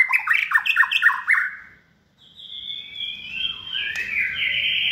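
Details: Second-season captive white-rumped shama, a hand-raised competition bird, repeats quick bouncing whistled notes about four times a second, pauses, then gives long drawn-out clear whistles sliding slightly down in pitch.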